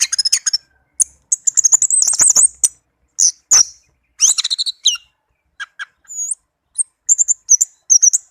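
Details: Song of a tame caged orange-headed thrush, played to coax reluctant birds to sing: bursts of sharp, high whistled and chattering phrases separated by short pauses, varied notes tumbling one after another.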